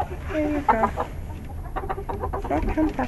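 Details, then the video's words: Chickens in a coop at night, settling in to roost: soft low clucks and murmuring calls with occasional pecking, a person speaking quietly and steady background hum. "Relaxing Chicken Coop Noises ASMR - Chickens at Night"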